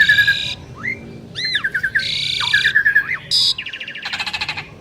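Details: Asian pied starlings, two prized birds, singing together: harsh buzzy blocks alternate with arched whistled slurs and quick trills, ending in a rapid rattling burst.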